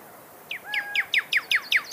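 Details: Pyrrhuloxia, or desert cardinal, of the American southwest and northern Mexico, singing a run of sharp downslurred whistled notes, about five per second, over a faint steady tone.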